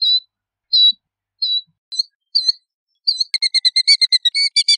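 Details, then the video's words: Killdeer, Charadrius vociferus: several sharp high whistled notes and short downslurred cries, then a fast trill of rapid repeated notes over the final second and a half. "Killdeer Song! Killdeer Call! Killdeer Voice! - Chorlo Gritón Canto!"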